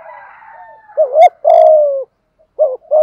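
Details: Malaysian spotted dove in thúc gù cooing. A faint drawn tone opens, then a wavering double note and a long, full, slightly falling coo, a short pause, and another pair begins. A few sharp clicks are heard mid-phrase.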